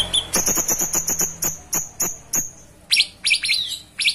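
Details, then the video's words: Cucak cungkok in full song: a fast run of clipped, evenly spaced high notes that slows toward the middle, then a few louder buzzy double chirps. "Gacoran Burung Cucak Cungkok Istimewa"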